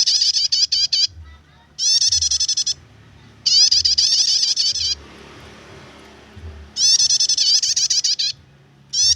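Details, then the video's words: Prinia in the 'nyetater' song style, used for luring or tutoring other birds: high, rapid chattering bursts of ticking notes, each about one second long, separated by short pauses and repeated four times. "suara prenjak nyetater"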